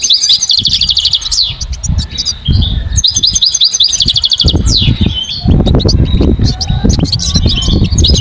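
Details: Goldfinch singing outdoors with quick, high, tinkling twitters and trills, partly covered by loud low rumbling and clattering noise in the second half.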